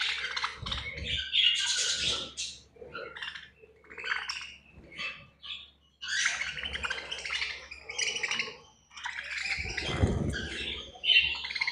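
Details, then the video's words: Budgies at feeding time, a group of pet birds giving bursts of high scratchy chirps and squawks in phrases broken by short pauses, with occasional low knocks and rustling. "Budgies Feeding Time"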